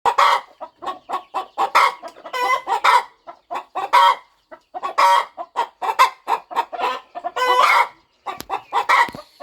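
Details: Mother hen in a quiet corner of a farm, settling over her nest as she prepares to hatch her eggs: dense runs of short, throaty clucks, a few drawn-out nasal notes mixed in, gaps only briefly breaking the chatter.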